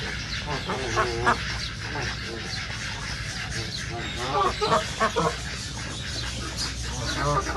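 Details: Wild ducks in a nature reserve give hoarse, nasal quacks in uneven bursts, several overlapping, with louder honking notes near the end over a steady low rumble of wind and background noise.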